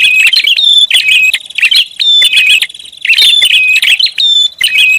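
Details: Rapid prinia lure call: repeated bursts of high scratchy chirps and short whistled notes, about one burst per second, crowded and excited.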